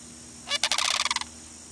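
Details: Sandhill crane in Florida in February gives one short, rolling rattle of about a dozen quick, loud pulses lasting under a second, with a steady high insect hum behind it.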